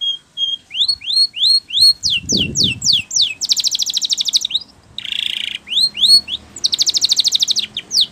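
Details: Training song of a Spanish Timbrado canary: series of upswept whistles, quick downward slurs, fast rattling trills and a buzzy tone, with a brief low rumble partway through.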